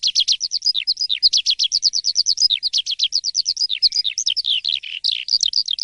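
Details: Asian pied starling in full morning song: a rapid run of sharp, high chattering notes, about three every second, occasionally broken by downward-slurred whistles, steady and energetic throughout.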